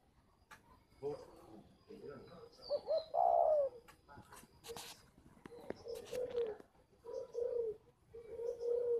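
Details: Caged spotted dove in Ba Vì, Hanoi, Vietnam, cooing in a run of low, soft phrases, the middle one louder and falling in pitch, with scattered clicks and knocks from the surroundings.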